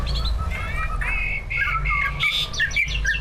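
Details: Greater green leafbird, caged competition bird, one of two on the track, full of mimicked song phrases, used to provoke other birds into singing: bright whistled notes and slurred phrases jumping between mid and high pitch, with steady low hum behind.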